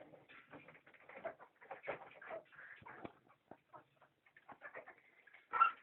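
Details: Country chicken clucking: a run of short, husky clucks and murmurs in irregular bursts, ending in one louder, sharper squawk; no other sounds.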